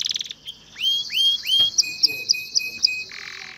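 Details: Singing male canary urging a female to mate and build a nest. A short buzzy roll is followed by three rising swept whistles, then a row of sharp repeated clicks over a steady high tone.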